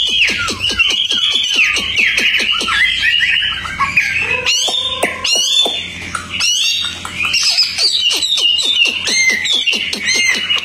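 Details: Tame Hwamei (wambi) kept outdoors and singing intensely: a dense, fast medley of sharp clicks, buzzy notes and rising and falling whistles, packed almost without pause.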